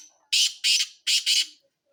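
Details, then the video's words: Black francolin calling: two pairs of loud, harsh, grating notes, each pair rasped out in quick succession with a short pause between pairs, against a quiet background. "kala Teetar Ki Awaz Black Francolin Voice"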